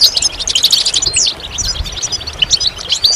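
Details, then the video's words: A goldfinch sings a rapid, high, tinkling twitter without pause, with bright chirps and buzzy trills tumbling over one another. "Goldfinch Songs"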